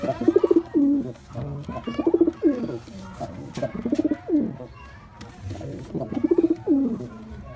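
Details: Male white pigeon in a performing display: low, throaty coos in bursts, each opening with rapid pulsed notes and ending in a drawn, wavering coo, repeated roughly every two seconds, recorded indoors.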